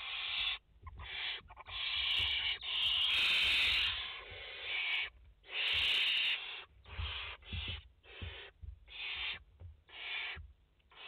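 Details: Five barn owl nestlings, 29 August 2021: a dense run of rough, hissing screeches, some long and overlapping, others short and clipped, tumbling one after another with almost no pause.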